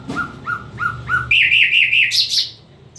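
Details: Nightingale song phrase of four slurred mid-pitched whistles, followed by a quicker series of brighter repeated notes and two high sharp notes, with a low background hum.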